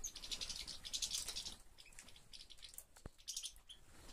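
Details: European goldfinch kept in a breeder's collection of European finches, 2013: bursts of high, bright twittering chirps for about a second and a half, a pause with a sharp click, then another short twittering burst.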